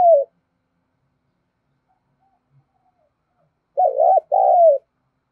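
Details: Decoy spotted dove cooing to entice wild birds: the tail of one coo opens, followed after a long silence by a full low two-note phrase with a gently falling second note.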